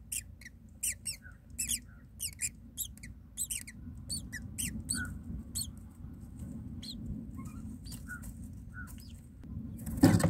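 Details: Baby mynas in a nest begging as the mother feeds them, giving rapid series of thin squeaky descending chirps, dense at first then sparser, over steady low background hum, ending with a loud rustle.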